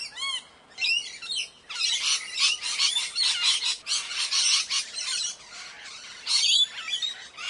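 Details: A rose-ringed parakeet (Psittacula krameri) gives a few thin chirps, then a run of harsh, grating, high-pitched, raucous screeches repeated rapidly for several seconds.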